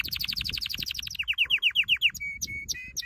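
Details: Canary training song with a quick series of high notes that slows into a run of descending slurred whistles, then a few clipped, flat whistled notes spaced apart.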